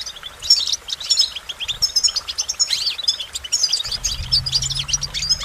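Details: Goldfinch song of bright, tinkling chirps and quick slurred notes in steady phrases, with a low steady hum starting partway through.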